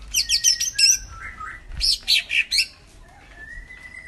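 Lesser Green Leafbird singing two bursts of rapid, high chirps and squeaky notes, with lower drawn-out whistles between and after.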